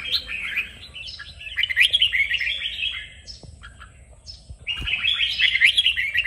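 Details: Red-whiskered bulbul 'kích bổi' song used to stimulate birds into singing: lively warbled phrases of quick up-and-down notes, a quieter gap in the middle with faint clicks, then a loud renewed warbling burst.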